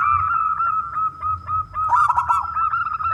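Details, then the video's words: Loud local zebra dove, played to get other doves singing: steady cooing notes in quick pulses, with a stuttering roll about two seconds in. "perkutut lokal gacor suara besar"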